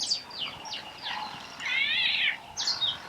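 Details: Meyer's parrots at a waterhole in Botswana, making an unusual sound: harsh, falling squeals followed by a longer, rising, buzzy screech and a final sharp squawk.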